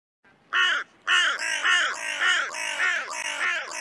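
Carrion crow giving harsh, hoarse caws, at first two separate calls, then a rapid run of about six more at roughly two per second.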